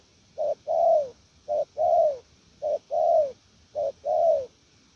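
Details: Spotted dove, a prized calling bird, giving low cooing phrases: a short coo followed by a longer, falling coo, the pair repeated four times at about one-second intervals, clean and steady.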